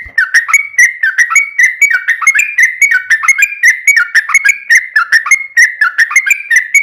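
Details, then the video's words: Yellow-vented bulbul in a long rapid song used to provoke others into singing: an unbroken string of clear, down-slurred whistled notes, about three per second, steady throughout. "trucukan ropel panjang buat PANCINGAN TRUCUKAN agar bunyi"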